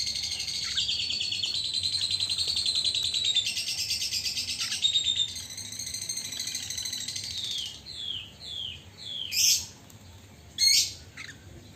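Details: A captive Chinese hwamei (Garrulax canorus), growing tame and often bathing in its cage morning and afternoon, pours out a rich, fast, high warbling song, then finishes with a few loud, slurred whistles that fall in pitch.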